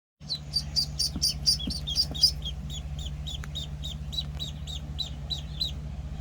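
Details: One-week-old Penciled Call ducklings peep in shrill, high, slightly downslurred notes, loose and uneven, roughly one every second, over a steady low electrical hum.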